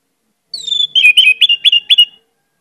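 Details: Lure song of an energetic Orange-headed thrush with many imitations: one long whistle drifting downward, followed by a rapid run of five short, slurred, bright notes, all clear against a silent background.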